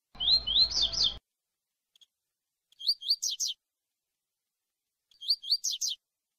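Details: Tui-tui song of a Double-collared seedeater (coleiro), for preparing birds for tournaments: one phrase over a low hum and background noise, then two clean phrases of rising whistles and fast buzzy falling notes.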